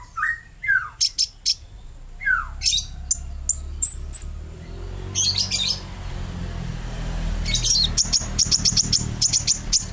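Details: Energetic sunbird singing: a few sharp down-slurred squeaks, then very high, thin ticking trills and rapid tinkling notes toward the end.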